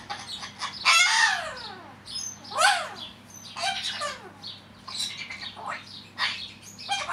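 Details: Male pet cockatiel chattering to himself when he thinks no one is watching: a run of rising and falling whistled and scratchy syllables over steady background hum.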